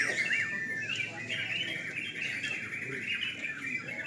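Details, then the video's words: Sooty-headed bulbuls at a night-time bird singing contest: a dense chorus of bright, chattering phrases, with short arched whistled notes rising and falling near the start, over a steady murmur of overlapping birds. "Lomba burung trucukan"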